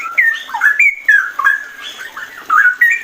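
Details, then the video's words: Straw-headed bulbul, known locally as cucak rowo, in a fast ropel song of mellow, liquid whistled notes that bend up and down in a rolling, bubbly flow of short phrases. "cucak rowo ropel"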